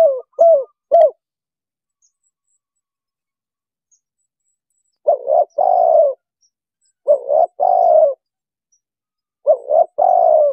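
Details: Spotted dove calls used by trappers to lure wild doves via an MP3 speaker: three quick low coos, a long silence, then three phrases of two short coos and a long falling coo.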